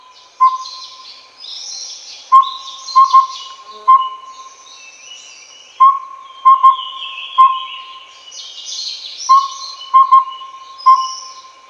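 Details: Collared owlet, Taiwan endemic subspecies Glaucidium brodiei pardalotum, of mid- and low-elevation forest: short hollow whistled toots on one steady pitch, in groups of one to three spaced a few seconds apart, over a faint steady tone and high buzzy insect noise.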